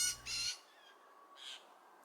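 A young Blue Jay gives three harsh, raspy squawks, two quick ones and then another a second later, begging to be fed. A faint low hum sits under the first.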